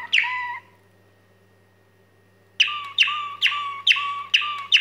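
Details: Waterslager canary singing the staaltonen (steel tones) song tour: one ringing note, a two-second pause, then a steady run of bright, metallic, bell-like notes about twice per second, each with a sharp attack and a lower sustained tone beneath; faint low hum.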